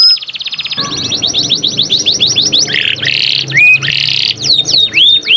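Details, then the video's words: Canary singing gacor, loud and continuous: rapid descending note series, buzzy rolled phrases and looping whistles over a low steady hum in the background. "Burung kenari gacor"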